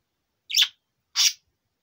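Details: Two short raspy chirps, about two-thirds of a second apart, from a four-year-old male budgerigar.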